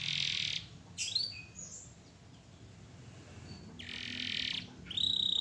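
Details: Canary in full, vigorous song for a training recording: loud buzzy rattling bursts alternate with quick rising and falling whistled slurs, closing on a sustained high pure whistle, with low hum underneath.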